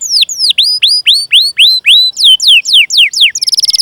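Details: Training-lure canary song meant to spur other canaries to sing: clear whistled notes sweeping down, then up, repeated about four times a second, ending in a brief fast high trill.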